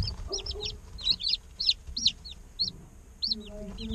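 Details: Day-old chicks chirping, as in an incubator during hatching: high, clear peeping notes, each rising then falling, in irregular clusters of two or three, with soft low rustling beneath.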